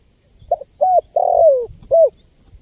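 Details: Spotted dove in lively 'gacor' voice, used to lure wild birds: four mellow low coos, two short notes, then a long drawn-out coo sliding downward, ending with one short rounded note; faint low rumble beneath.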